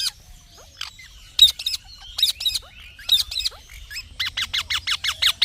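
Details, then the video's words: Scattered rough double squawks from a green parrot, then a rapid, even run of short shrill notes toward the end. "Green Parrot Natural Sounds"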